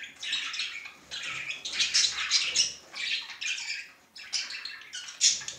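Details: Male budgerigar expressing affection through phrases of fast, gritty, high chirps and squeaks, delivered in clusters of about a second each with brief pauses between them.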